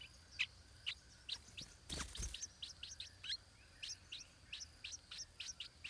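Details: Stripe-throated bulbul chick in its nest in south-eastern Asia, being fed by its parents; short high chirps repeated about every half second, with a brief loud broadband rustle near two seconds.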